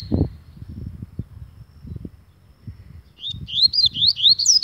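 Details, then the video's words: Agitated double-collared seedeater singing: after a few quiet seconds of low rumbling background, a quick run of high, slurred, rising and falling whistled notes starts near the end and grows louder. "Coleiro ZANGADO"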